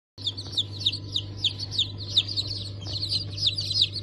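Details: Newly hatched chicks of Cream Legbar, Sultan and Maran Couper breeds, hatched 15 March 2024: shrill, high peeps falling in pitch, repeated rapidly by several chicks over a steady low machine hum.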